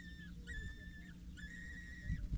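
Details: Four young peregrine falcons, 6-8 days old, being fed by a parent at a Scheveningen water tower, 8 May 2023: two long, level, high whistled wails about a second each, with steady low hum beneath.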